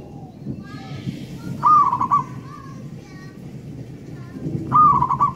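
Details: Local wild-type zebra dove singing loudly. Two short, rolling coo phrases stand out against a steady low hum and faint background noises.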